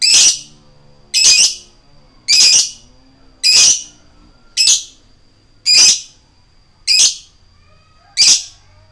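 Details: Eight harsh lovebird 'koek' shrieks in a slow, even series, one about every second, a lure for provoking other lovebirds to sing.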